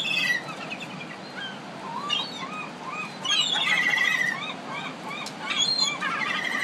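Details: Gulls in a Pacific city giving repeated short calls, many overlapping voices with rising-falling yelps and higher squeals, a dense chorus with louder bursts around the middle and near the end.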